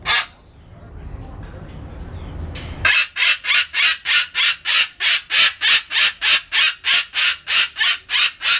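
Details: A female umbrella cockatoo, on her first day outside in 2008, gives harsh, ear-splitting screeches, about three a second in a steady unbroken run, after a few seconds of quiet, yelling like a typical cockatoo.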